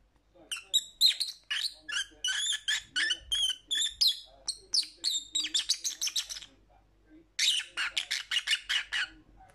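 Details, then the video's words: Lovebirds give rapid, shrill, harsh chirps in dense bursts of several per second, broken by a brief pause before the chatter resumes. "Lovebird Sounds"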